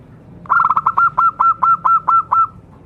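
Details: A vigorous local zebra dove singing to lure and stir other zebra doves into song: about ten short, crisp, hook-shaped coos in a steady staccato series, evenly spaced and clean against quiet background.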